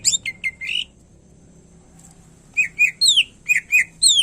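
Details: Cucak ijo, the greater green leafbird, delivers buzzy whistled notes and downward-sweeping slurs in two bursts, with a quiet gap between them and a soft low hum running throughout.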